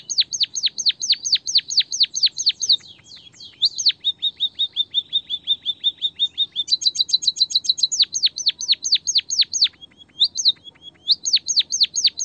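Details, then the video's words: Lively white-headed munia song used as bait to get a lazy bird singing: long runs of loud falling whistles alternate with fast high trills and a lower buzzy rattle, continuous throughout. "pancingan emprit kaji malas bunyi biar gacor - burung pipit bondol kaji suara asli"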